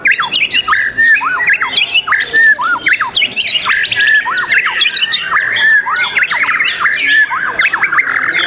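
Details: White-rumped shama singing at a songbird competition on 12 December 2021: loud, fast phrases of sharply bent, whistled notes repeated in quick runs, with other birds singing and chattering behind it.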